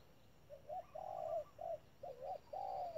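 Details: Trap decoy spotted dove cooing steadily, short rising notes leading into longer flat coos, several notes packed into three seconds over a low constant hum.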